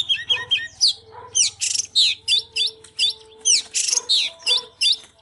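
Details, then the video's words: {'caption': 'Excited Oriental magpie-robin singing while display-dancing: a rapid run of loud, varied whistled phrases, swooping up and down, about twice a second, with rich buzzy bursts among them and a faint steady low tone behind.'} "Chích chòe than LÊN LỬA || HÓT MÚA ĐẲNG CẤP"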